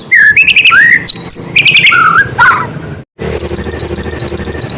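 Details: White-rumped shama in busy song to provoke other shamas into singing: dense mixed whistles and chattering notes, a short silent gap, then a rapid, even, high buzzy trill.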